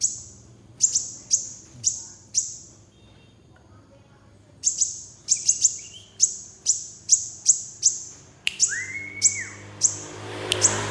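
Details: Sunbird giving sharp, very high chirps, single or in quick pairs, roughly every half second, with a pause midway, then a louder burst of chirps and a brief lower whistled note near the end.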